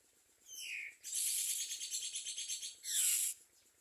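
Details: Nestling common mynas at their nest: a thin descending whistle, then a long run of rapid harsh rasping pulses, ending in a loud hoarse hissing screech, with a faint steady ticking underneath.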